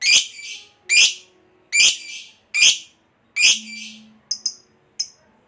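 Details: Lovebird, a 'fighter' bird in the Indonesian 'ngekek panjang' style: five separate harsh, shrill, buzzy chirps spaced under a second apart, then a few short sharp clicks, with a faint low steady hum behind.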